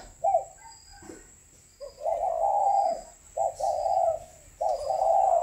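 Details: Kept spotted dove cooing: a brief opening note, then three long, hollow, slightly wavering coos in steady succession, each about a second long, over a faint constant high hum.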